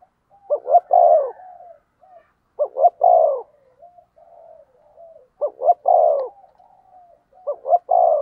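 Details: Spotted dove decoy call meant to provoke rival males: four low, mellow cooing phrases, each two quick stuttered coos then a longer drawn-out coo, repeating about every two and a half seconds, with soft trailing notes between.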